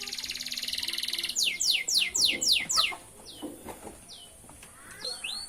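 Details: Lively canary song: a fast buzzy trill, a run of six quick descending sweeps, then softer scattered whistled notes over faint background noise.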